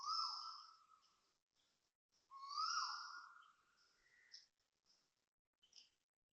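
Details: Asian koel at 6:38am on 5 December 2025, Toa Payoh, Singapore, giving two loud, drawn-out whistled notes that swell and slightly rise, about two seconds apart, with faint chirps from other birds.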